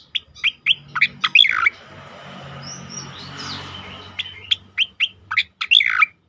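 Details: Asian pied starling singing loudly and continuously: rapid series of sharp, high chirps and whistled notes in bursts, a quieter gap in the middle, over a steady background hum.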